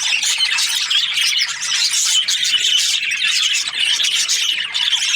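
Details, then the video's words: Breeding pairs of budgerigars chirping together in a dense, continuous chorus of high, twittering and warbling notes with occasional short squeaks, steady and busy throughout. "Budgies parrot chirping sounds | breeding pairs"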